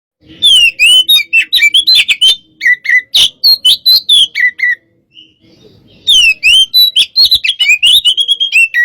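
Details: White-rumped shama of the hot type, fired up against a rival in a pacingan bout: rapid bursts of loud whistled and chattering notes, sweeping and jumping between high pitches, in two long phrases split by a short pause.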